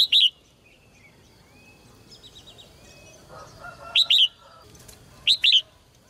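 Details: Caged red-whiskered bulbul singing to rouse males into strong song: three brief, high two-note whistled phrases spaced a few seconds apart, with soft murmuring bird sounds in between.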